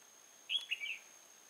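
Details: Red-whiskered bulbul at a decoy trap at Nuông Dăm on 6 May 2018, giving a single crisp, rolling phrase of three linked whistled notes lasting about half a second against near silence.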